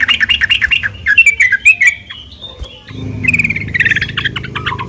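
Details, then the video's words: Yellow-vented bulbul in a fighting mood, used as a lure to provoke other bulbuls into answering; rapid, scratchy chattering notes with wavering pitch fill the first second, a pause follows, then more chatter over a low background hum. "trucuk gacor taruNG buat pancingan trucukan agar bunyi"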